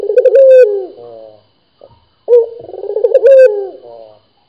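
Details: A local puter dove cooing energetically. Two long, deep, trilling coos with a gliding downward tail are split by a short silence and a soft faint note.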